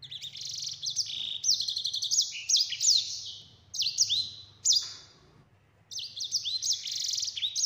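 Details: Sanger, the yellow-fronted canary, singing a clear rolling ngeroll phrase used as tutor song for other birds: stacked high trills and downslurred whistles, two short pauses breaking the stream, steady low electrical hum beneath.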